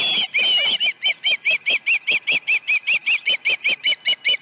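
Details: An osprey at its nest on Dunrovin Ranch, 21 August 2019, gives a few drawn-out whistles, then a steady run of short, sharp chirps, roughly four a second, evenly spaced.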